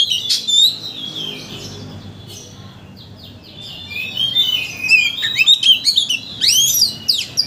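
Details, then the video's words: White-rumped shama lure song aimed at raising a bird's excitement to sing its full repertoire: opening chirps, a quieter pause, then dense bursts of rich whistles and sharp chirps repeated rapidly. "Pancingan Kacer Untuk Menaikkan Emosi Agar Mau Bongkar Isian"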